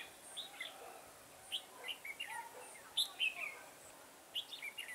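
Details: During trapping in a garden on 9/10/2017, a red-whiskered bulbul gives sparse, clear whistled phrases of two to four quick slurred notes, spaced by quiet gaps over a faint hiss.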